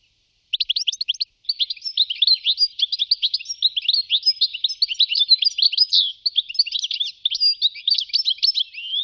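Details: European goldfinch, Wittlich, 2018, starting after a brief silence and then chattering nonstop in a dense stream of quick, high, tinkling twitters and chips.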